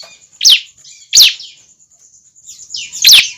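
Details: Bar-winged prinia youngster calling as a lure for other birds: three sharp downward-slurred chirps spaced roughly a second apart, with quiet buzzy chatter between them and a thin continuous whine.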